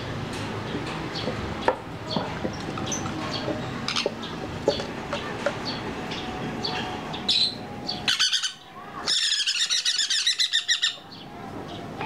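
Young sun conures give harsh, raspy chattering calls in quick pulsed bursts over a steady hum.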